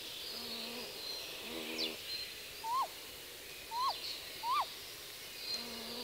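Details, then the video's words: Great grey owl female on the nest giving contacting calls: three short, sharp, up-then-down slurred yelps about a second apart, with the male's lower, drawn-out hoots humming before and after in the background. "Strix nebulosa (Great grey owl) 2. Contacting calls of female on the nest"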